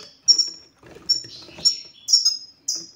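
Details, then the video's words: Short burst of 'sitsita' goldfinch song meant to stir a silent male into singing: four or five high, ringing, slurred chirps spaced roughly half a second apart, with slight buzzy texture between them. "ستستة الحسون سوف تجعل الحسون ينطق رغم عنه"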